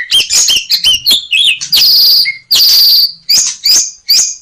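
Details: Asian pied starling rich varied song for teaching captive birds: quick whistled notes and chirps, then long harsh buzzy rattles, followed by more clear rising and falling whistles in rapid succession.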